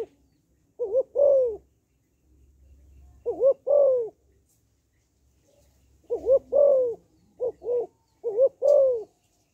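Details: Female spotted dove calling to stimulate males. Low cooing phrases, each two short wavering notes and then a longer falling coo. The phrases repeat in irregular bursts, and a faint low rumble sits underneath.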